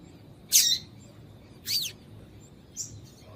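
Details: Female double-collared seedeater call used to stir a male into song: three high, sharp chirps roughly one second apart, the first loudest and the last faint and short, over a low background hum.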